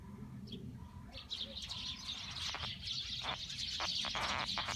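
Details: Eurasian tree sparrow calls: a few scattered high chirps at first, then rapid, busy chirping that builds after about one second and continues steadily, over a constant low background rumble.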